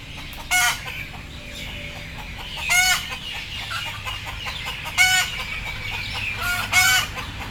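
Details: Frightened, sleepy chickens waiting to be loaded on board give harsh, harmonic squawks in short bursts every two seconds or so, over a steady background murmur of many birds and low rumbling noise.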